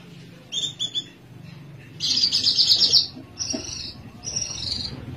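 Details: Captive young spotted (trotol) Oriental skylark (Alauda gulgula) song: high, bright chirps in short bursts, with a fast buzzy trill in the middle, over a low background hum.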